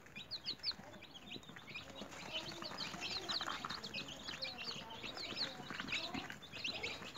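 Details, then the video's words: A group of newly hatched chicks kept in a home cage peep busily, short high downslurred notes tumbling over one another, with a faint lower murmur underneath. "Newly Hatched Chicks Activities"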